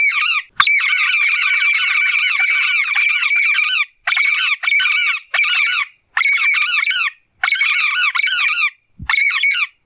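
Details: Blue-fronted amazon calling a great deal in nature: a long, harsh, squawking run of harmonic-rich calls for about three seconds, then shorter raspy bursts separated by brief silences. The background is quiet.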